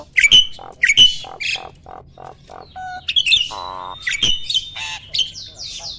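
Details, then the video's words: Mature male Asian pied starling in peak breeding condition, singing intensely while pumping its body, ready for mating: squeaky whistled notes mixed with harsh nasal squawks, a buzzy rattling burst midway, delivered in uneven bursts about every half second. "BURUNG JALAK GACOR MOMPA-MOMPA!!! JANTAN TULEN."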